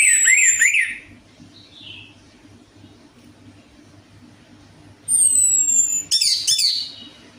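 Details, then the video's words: Orange-headed thrush lure song meant to prompt a quiet bird to sing. It opens with wavering high whistles, falls silent for several seconds, then returns with clean descending whistles and a burst of sharp chattering notes. A faint electrical hum runs underneath. "DENGAN PANCINGAN ANIS MERAH AMPUH INI, ATASI SUSAH BUNYI ANIS MERAH"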